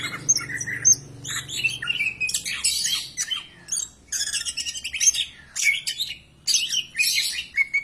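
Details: Greater green leafbird song played to get other birds singing: varied whistles and buzzy chattering phrases in bursts of about a second, separated by brief silences.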